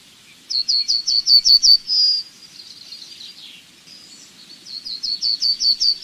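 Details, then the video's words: Yellowhammer phrase of quick repeated chirps ending in a held note, then fainter twittering before a second run of chirps begins; faint low background rumble. "Yellowhammer Bird Sound Effects"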